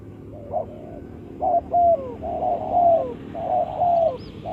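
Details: Spotted dove call used to lure birds for trapping: a run of mellow, low coos, short notes leading into longer falling phrases, repeated roughly once a second, over faint steady background hum.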